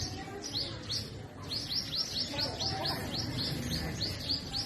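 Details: Purple sunbird singing in forest trees in spring, north-west Pakistan: a fast series of thin, high, down-slurred notes, about three each second, over a low background rumble.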